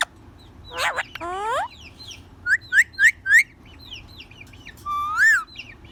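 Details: Talking ringneck, a rose-ringed parakeet, giving a swooping whistle, then four quick rising chirps in a row, and a final long arched whistled note over faint background hum.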